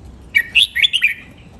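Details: Red-whiskered bulbul training song in the len rik, nap dok, mae bot and lak wai styles: one brisk phrase of four or five bright, slurred whistled notes, rising and falling, then quiet.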